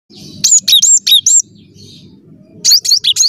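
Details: Cinereous tit (gelatik batu) singing in gacor style: two bursts of high, wavy whistled notes in quick succession, separated by a pause of about a second, over a faint low rumble.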